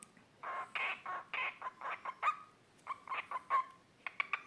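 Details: Cockatiel (Nymphicus hollandicus) giving a run of harsh, raspy squawks in quick, uneven bursts.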